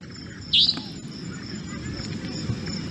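A Savanna Nightjar gives one sharp, high, screechy note, a brief rising 'dheet', against a steady background hiss.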